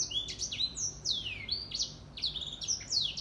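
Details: Edel Sanger, the grey singing finch, singing in the morning: a continuous stream of high, clear notes, many sliding downward, delivered fast and bright with almost no gaps, with a low hum faintly underneath.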